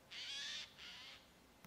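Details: A Eurasian jay at the ponds in the Draga valley, Slovenia, on 6 November 2022, gives two harsh, rasping screeches, the first longer, the second shorter after a brief pause, with no other sounds.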